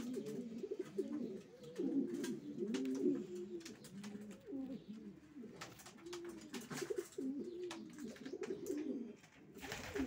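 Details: Racing pigeons crooning in repeated low, rolling coos from several birds at once, with light clicks and a burst of rustling at the very end.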